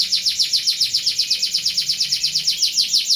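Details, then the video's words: Canary in rolling song (kenari ngeroll), described as suitable for tutoring other birds: a steady high trill of about twenty-two quick descending notes, evenly spaced at roughly seven per second, throughout. "Suara Burung Kenari Ngeroll Cocok untuk Masteran"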